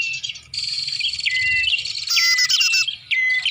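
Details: Bar-winged prinia lure sound used to draw birds in: a rapid run of high, piercing chirps and buzzy trills, with a brief gap before a final sharp note, over a faint low rumble.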